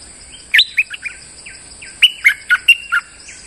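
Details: Molting streak-eared bulbul, recorded for luring, still singing strongly: a soft opening of slurred notes, then a loud phrase of five punchy, descending chirps, over a continuous high-pitched whine.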